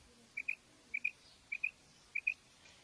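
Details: Female quail giving quiet double notes, each a quick two-part chirp, four pairs spaced evenly about every half second over a soft background hiss.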